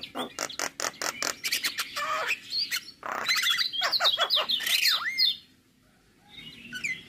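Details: Morning song of a male Javan myna, full-fill tutor recording: a rapid run of sharp clicks, a harsh rasp, whistled twisting phrases, fading to quiet near the end.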